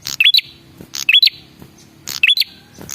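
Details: Male red-headed prinia lure call at close range: loud clicking chips followed by a clear rising whistle, three bursts about one second apart.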